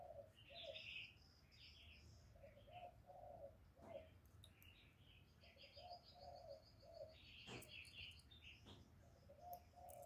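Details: Spotted dove giving a luring coo used by Vietnamese bird keepers to stir other doves, recorded live: low, soft hooting coos in short grouped phrases, repeated through the recording, with higher chirps from other small birds over faint background noise.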